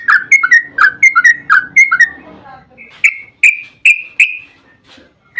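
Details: Yellow-vented bulbul song in a long rolling style, used as a lure to make other bulbuls answer: a quick series of bubbly whistled notes falling and rising, then clearer ringing whistles, with faint background murmur.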